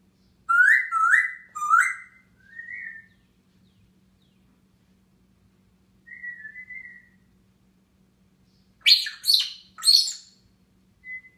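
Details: Caged pet grey parrot on top of its cage on a June 2016 morning, indoors: a run of three looping whistles and a short trill, a pause, a soft warbled note, then louder harsh, bright chirped notes near the end.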